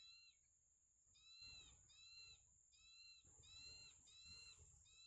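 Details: Tiny nestlings in a small nest being fed by their parents, giving a run of clear, high, harmonic chirps in short bursts about once a second, with rustling and handling noise between calls.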